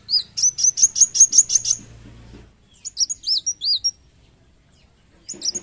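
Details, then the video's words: Vigorously singing kolibri wulung sunbird opens with a quick series of piercing high chirps, pauses, gives several sharp downslurred squeaky notes, then starts again, with a faint low hum behind. "Kolibri wulung gacor narung handal"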